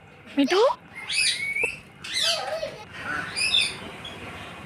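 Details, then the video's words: A pet green parrot chatters in varied, harmonic notes, some sliding upward, others wavering, in several loud phrases separated by short pauses. "Natural sound of parrot video"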